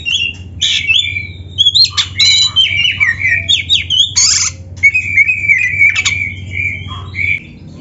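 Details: Oriental magpie-robin song meant as a master recording for training kacer: mixed harsh squawky notes and high whistled phrases in rapid sequence over a steady low hum that stops near the end.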